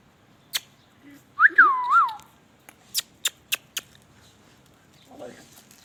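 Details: Indian ringneck parakeet talking, with a pair of swooping whistled notes in the middle, surrounded by several sharp clicks, a brief low chirp and a faint murmur toward the end, in a quiet indoor setting.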